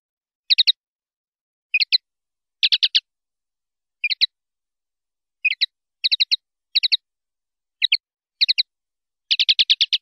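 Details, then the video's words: A common linnet (Linaria cannabina) sings in quick bursts of high, twittering chirps and short trills, broken by brief pauses, against complete silence. "PARDILLO LIMPIO"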